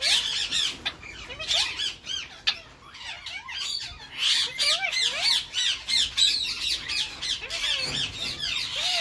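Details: Courting in spring, a captive male Indian ringneck parakeet of the Grey Edged mutation gives a fast, continuous stream of harsh squawks and warbled chatter to his female. Arched whistled notes are scattered throughout, roughly three per second.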